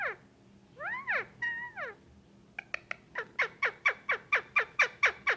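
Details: Indian ringneck parakeet, a young adult male pet being petted indoors: a few looping squawks, then an even, rapid series of sharp falling chip notes repeated roughly twice per second.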